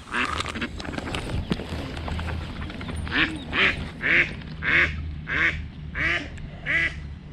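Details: Mother Eastern spot-billed duck with little ducklings, early morning, during a cat attack on two chicks; a steady series of loud, hoarse quacks, roughly one every two thirds of a second, over low background rumble.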